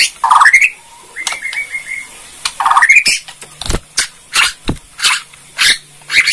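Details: Borneo white-rumped shama giving kretekan, a rattling song used to stir other shamas into answering: harsh rising squeals twice, a short clear trill between them, then a string of sharp clicks.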